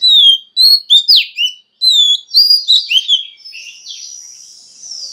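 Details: Female Oriental magpie-robin singing to stimulate males to sing: rich, clear whistled phrases with sharp downward slurs and quick chirps in bursts, then a thinner, buzzy, drawn-out warble fading at the end; no other sounds.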